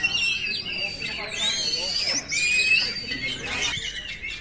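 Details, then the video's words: Oriental magpie-robin song played for training caged birds: dense, overlapping whistled phrases with rising and falling sweeps, sharp upslurs and high trills, continuous throughout with no pauses. "simulasi suara burung kacer"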